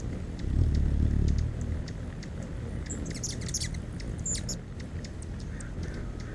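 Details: Hummingbird in flight while feeding on nectar: a low droning hum swells for about a second near the start, then fades into steady low rumble, with brief thin high chirps and ticks scattered through.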